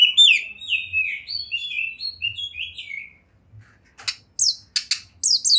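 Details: Oriental magpie-robin, a contest-winning kacer in full 'gacor' song, pours out a run of clear downslurred whistles, falls silent briefly, then gives several sharp, harsh high chips.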